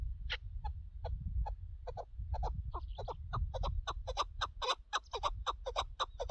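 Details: Chukar partridge tied to partridge hunting, starting with sparse single clucks that speed up into a dense, loud rally of chuck notes, against steady low rumble.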